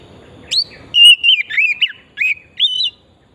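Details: Oriental magpie-robin song used as a singing lure: a series of clear, sweet whistled phrases, slurred up and down, separated by short pauses, after a brief patch of low background noise.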